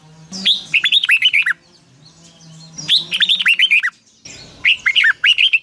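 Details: Long twisted double-voice song of a red-whiskered bulbul, sung in the morning and used as a lure sound for training birds. Three quick phrases of warbled whistles sound over a soft steady low hum.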